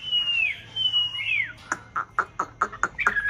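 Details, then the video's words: White Chinese hwamei, one of a pair kept in a conservation aviary in a mountain town, singing during the nest-building breeding season: long slurred whistles falling in pitch, then a run of sharp, evenly spaced repeated notes rising at the end. "họa mi bạch hót hay múa đẹp vào mùa xoáy tổ"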